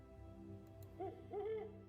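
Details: A Great Horned Owl at night in woods of the East Tennessee foothills of the Smoky Mountains gives two low, mellow hoots, the second longer with a slight rise and fall, over a faint steady hum.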